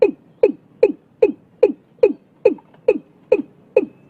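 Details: Fast run of eleven hollow, downward-dropping knocks from a watercock in Vietnam, early in the year, delivered steadily at about two and a half per second.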